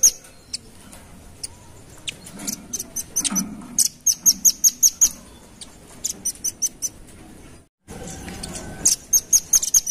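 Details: Velvet-fronted nuthatch calls used as a lure to draw in birds: short bursts of piercing high chips repeated quickly, interspersed with isolated ticks, a brief gap of silence, then another rapid run.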